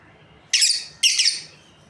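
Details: Breeding pair of lovebirds; two loud, shrill, slightly buzzy chirps half a second apart, each a short broad burst of high sound, with a faint hiss behind.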